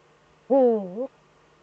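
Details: Eurasian eagle-owl pair on a webcam in the breeding niche, mating at night on 26 February 2013: a single low, nasal, wavering note of about half a second, dipping then rising at the end, in a quiet setting.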